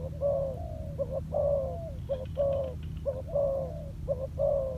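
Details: Spotted dove decoy practising on land, its soft hollow coos paired short-then-long with the longer note sliding down, repeated five times over continuous low machine-like hum.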